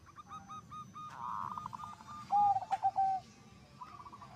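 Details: Perkutut (zebra dove) in song that sets others singing; a blurred rolling coo, then clipped notes and a long low steady note near the end.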